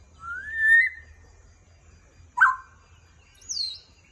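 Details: Grey parrot (Psittacus erithacus): a long rising whistle, a short harsh squawk, then a high falling whistle, over a low hum.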